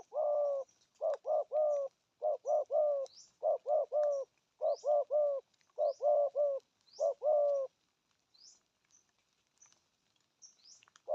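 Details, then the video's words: Spotted dove with a deep 'thổ âm' voice, cooing in 'thúc gù' style. Seven steady three-note coo phrases repeat about every 1.2 seconds, with faint high chirps from other small birds behind. "Thổ âm cực phê! thuc gù thúc kèm bài bản"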